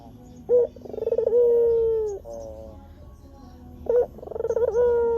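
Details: Lure call of a white Barbary dove: two phrases, each a sharp short note, quick throbbing pulses and a prolonged steady coo ending softly, roughly three seconds apart over faint hum.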